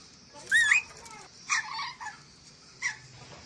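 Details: Ornate lorikeet, Sulawesi: a short wavering squeal at half a second, then two coarse, buzzy squawks near 1.5 and 2.8 seconds, separated by near silence.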